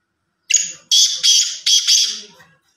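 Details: A black francolin in Sindh gives a harsh, grating call: a short opening note, then three loud rasping bursts in quick succession, all over in about two seconds.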